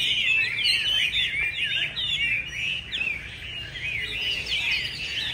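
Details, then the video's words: Chinese hwamei, a caged contest bird in wintry Hanoi, practising at a weekend rehearsal: a rapid, unbroken stream of rich, warbling whistles with quick slurred rises and falls, low background rumble beneath. "Tập dượt Hoạ Mi chuẩn bị thi đấu mùa này"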